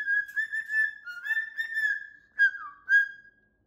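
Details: Pet cockatoo giving a body-shaking laugh indoors: a sustained whistled tone near one pitch with wavering, stuttering pulses, then two short louder bursts with a dipping slur at the end.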